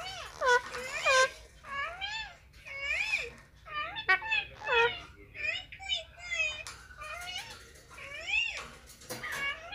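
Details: Indian ringneck parakeet talking on a mobile phone: nearly ten seconds of steady, high, sing-song word-like phrases with swooping tones, each syllable rising and falling, separated by short gaps.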